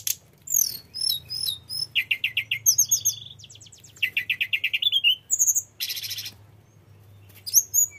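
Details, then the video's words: Mountain flycatcher (tledekan gunung) singing a full rolling song of mimicked phrases, meant to lure other birds: fast chip series, buzzy trilled bursts, high whistled slurs, with a low steady hum underneath. "Suara tledekan gunung gacor ngerol bongkar isian‼️cocok buat pancingan tledekan"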